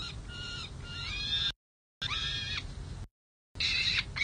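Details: Peregrine falcon chicks, three nestlings on the San Jose City Hall nest ledge, playing hard at bedtime on 11 June 2024, the night before fledge watch, with an adult watching from the roof. Harsh, harmonic, rising-and-falling squeals come in repeated bursts, broken by abrupt silent gaps.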